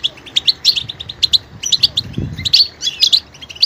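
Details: Varied goldfinch song: quick, high twittered notes in short bright clusters, repeated with tiny gaps, a faint dull thump in the background midway.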